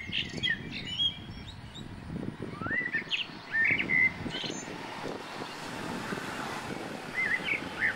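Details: White-breasted waterhen mother with two chicks in Weeraketiya, southern Sri Lanka: thin, high peeping chirps and short squeaky notes in scattered bursts, over a steady low rumble of distant traffic.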